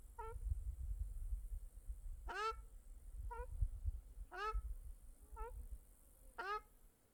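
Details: At a small lake in Mongolia, birds repeat a short nasal note alternating with a longer, falling mewing call, about every second, over steady loud low rumbling, likely wind or water.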